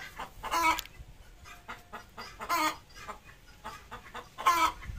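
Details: A Desi hen laying an egg at home cackles in three loud, raspy bursts about two seconds apart, with faint clucks in the gaps.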